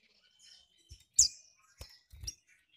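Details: Captive female Mountain White-eye from Malang, East Java, calling to excite males: a thin steady whistle, then a bright high downslurred note among several dull thumps and soft chirps.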